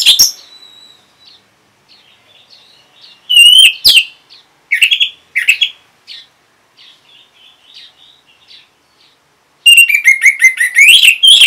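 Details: Orange-headed thrush, a kept bird in Singaraja, northern Bali, answering a lure recording: soft scattered high notes, then loud varied whistles and a closing fast rich jumble of chirps and trills.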